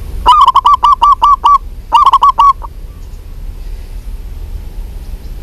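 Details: Local zebra dove (perkutut) calling: a fast series of about eight short, nasal, evenly spaced notes, a brief pause, then four more similar notes ending in one soft note, with faint background hiss.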